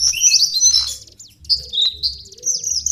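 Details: Lesser shortwing (cingcoang coklat) lure song: loud, high warbling phrases of quick rising and falling whistles in short bursts about every half second, over a faint low hum.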